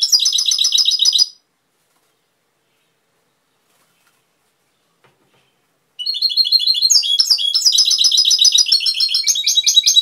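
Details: European goldfinch song, Cobia Málaga: a brief twittering phrase, a long silent pause of nearly five seconds, then a sustained run of rapid, high, jingling trills and buzzy notes to the end.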